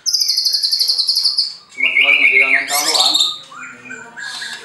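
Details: White-rumped shama at a bird farm in Anyer, Banten, Indonesia, singing to stir rival birds: a high rapid trill of repeated notes, then a lower buzzy chattering phrase and harsh rising notes.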